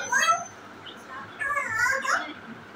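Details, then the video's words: African grey parrot singing and dancing: two bursts of nasal, harmonic, meow-like calls, a short wavering phrase first, then a longer run of rising and falling notes after a brief pause. "Birds Sounds | African Gray Parrot || BIRD SNINGING AND DANCING"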